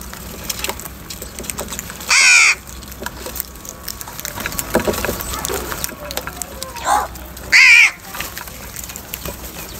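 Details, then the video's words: Two loud, rasping caws about five seconds apart come from crows fighting for food at their morning feeding, with a softer call just before the second and light background clicks. "Crow bird live crowing sounds - Crow bird Fight for Food | Crow Foods Time In Morning & voices"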